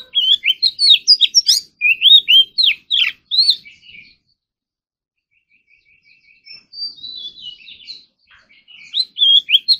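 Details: Oriental magpie-robin, a kept ornamental bird, in morning singing practice with varied filler phrases. A fast series of loud, sharply slurred whistles, then soft buzzy ticking and thin warbles, then renewed whistling.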